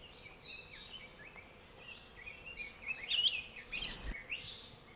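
'Akikiki calling: high, thin chips and short whistled notes, scattered through the clip and loudest near the end, with faint forest hiss behind.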